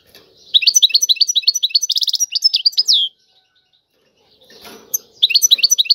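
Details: European goldfinch giving tiwawati song: a phrase of rapid upslurred chirps with a short trill and falling slur, a silent gap with a brief rustle, then the twittering starts again.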